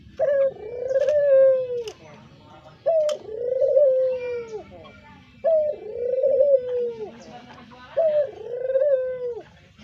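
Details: Pet brown Barbary dove with a call valued for luring: four mellow coos at a steady pace, each a brief sharp onset followed by a long purring, slightly wavering hum that slides down at the end.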